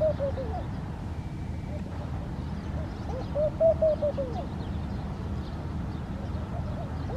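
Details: A laughing dove in Al Rahmanya, Sharjah, UAE, sings a soft, bubbling run of low coos that rise and fall, over a steady low rumble and a brief thin whistle.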